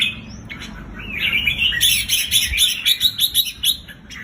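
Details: Red-whiskered bulbul singing, played to excite caged bulbuls: a soft opening, then a rapid run of bright, bubbling chirps that pulse steadily before fading.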